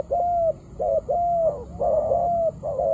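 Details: Spotted dove cooing: a run of smooth, mid-pitched coos, some short and some drawn out, repeated roughly once a second, over a faint steady high hum.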